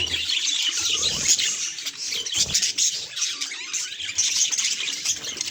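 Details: Budgerigar responding to a mirror gives a fast stream of high chirps and grating warbled notes, with a few soft low thumps.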